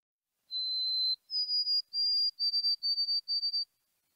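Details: White-throated Sparrow (Zonotrichia albicollis) whistling a clear, pure song: one long steady note, a step higher, then a run of quick repeated triplet notes.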